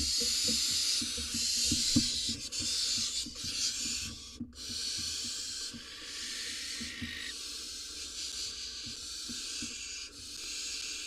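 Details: Barn owl at a nest box in Israel during the breeding season, as the male delivers a rodent to his nestling: steady, harsh, breathy hissing throughout, with faint taps and scuffles beneath.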